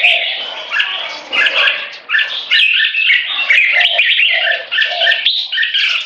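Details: A 3.5-year-old and a 7-year-old competition Red-whiskered Bulbul compete in butir frequency singing with gaya display to dominate territory. Loud clustered whistled phrases come in bursts, separated by brief gaps, with mellow lower tones mixed in.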